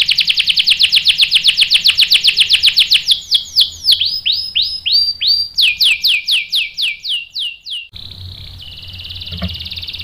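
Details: Canary lure song for provoking males to sing back: a fast, loud trill easing into spaced swooping notes, a second series of sweeps, then a quieter steady buzzy roll.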